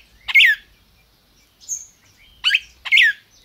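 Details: Captive red-crested cardinal kept by a licensed breeder in Brazil, calling and singing: three loud, sharp down-slurred chirps, the first alone and the last two close together, with a faint high whistle between.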